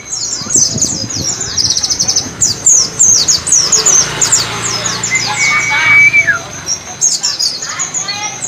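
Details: White-eye singing "wit wit cer" in the ngalas style, a recording for training pet birds: long chattering series of high slurred chirps, a steady whistled tone near the middle, and faint low rumble.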